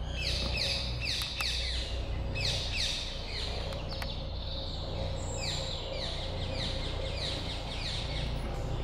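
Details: Young green woodpeckers of 2020 give a busy stream of short, high, downward-sliding calls, about three each second and overlapping, over a steady low rumble.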